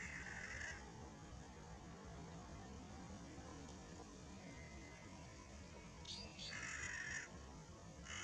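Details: Collared crow (Corvus torquatus) at Long Valley, Sheung Shui, dated 11 6 19, giving harsh, rasping caws, one at the start and a longer burst about six seconds later, over a steady low background rumble.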